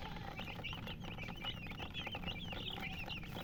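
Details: Chicken, a hen, making rapid high chirping peeps, many short notes in quick succession, over a steady low hum.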